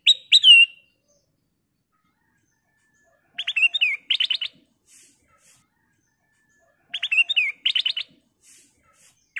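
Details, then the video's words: Golden bulbul (kutilang emas) singing vigorously, used to prompt other birds to sing: short bright warbled phrases of rising and falling whistles, repeated in bursts about every three and a half seconds, otherwise quiet. "Burung Kutilang Emas Gacor suara kristal Cocok buat Pancingan"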